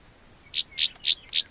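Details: Close encounter with two Northern rough-winged swallows landed on a car door near their dirt-bank nesting cliff, point-and-shoot recording: four short rough buzzy notes repeated quickly, roughly one every quarter second.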